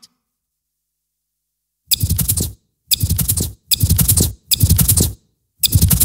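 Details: Five short bursts of broadband clattering, like rapid typing, separated by silence, with no animal sound.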